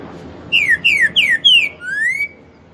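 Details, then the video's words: Green-winged saltator of the Pantanal type sings a "4 nota boi" song: four loud, falling whistled notes in quick succession, then a longer rising whistle, over a quiet background. "TRINCA FERRO pantaneiro 4 nota boi um CANTASSO"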